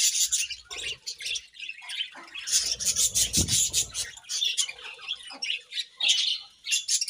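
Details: Budgerigars in morning chirping, continuous harsh high chatter with squawky notes, pulsing in quick bursts, one low thump midway.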